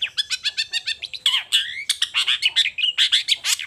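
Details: Long-tailed shrike morning song: quick repeated notes about four per second, then louder harsh, slurred and whistled phrases run together.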